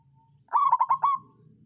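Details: Zebra dove, local songgo ratu type, with a lure song meant to set lazy birds singing: one brief phrase of four or five quick rolling coos, loud and mellow, over a faint low hum.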